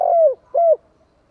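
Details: Spotted dove calling to stir up wild doves ('kích bổi'): two mellow, slightly downslurred coos about half a second apart, then quiet.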